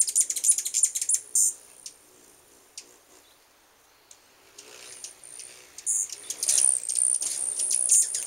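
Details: Hummingbirds present in full force at a residence, starting with fast high chattering chips, a quieter lull in the middle, then renewed thin squeaky twittering and buzzy high notes.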